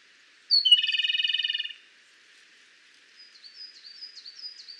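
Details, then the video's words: A Japanese robin (Larvivora akahige) sings its loud song: a single high introductory note running straight into a fast, rattling trill lasting about a second. Soft, high chirps from another bird follow. "Robin Japonês - Já ouviu o canto desse passarinho?"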